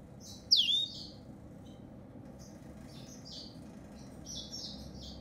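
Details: African yellow-fronted canary song: one loud swooping, descending whistle followed by scattered high, thin chirps and short trills, set against a soft low background hiss.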